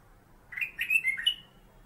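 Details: Single brief phrase from a captive black-capped bulbul, locally kutilang emas, whose 'master' song serves to tutor magpie-robins. Four or five clear, fluty notes slurring up and down in under a second, with a quiet background.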